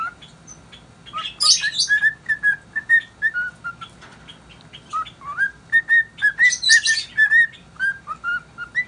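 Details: Pet cockatiel singing happily, an unidentified tune: a run of clear whistled notes, some sliding upward, some dropping, in uneven rhythm, with two brief bursts of higher, scratchy chatter partway through.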